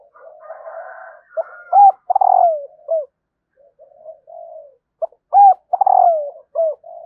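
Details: Female spotted dove calling to stimulate males: after faint buzzy murmuring, a phrase of loud, mellow coos, with two short notes, a long falling coo and a clipped final note, comes twice, about four seconds apart.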